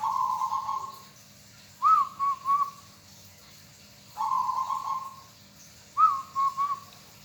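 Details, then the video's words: Local zebra dove sings twice through its phrase: a sustained burry trill answered by a sharp-onset, three-pulse cooing note, repeated at roughly two-second intervals. "bunyi perkutut sangat menyenangkan hati bagi yg hobi burung perkutut lokal"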